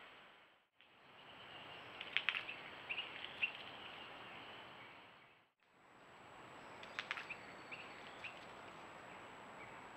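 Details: Baby screech owls in a nesting box beside a deck on an acre of land in Hendersonville, NC, screech for food: long, harsh, hissing screeches running several seconds, broken by a brief pause, with faint chirps of other birds behind.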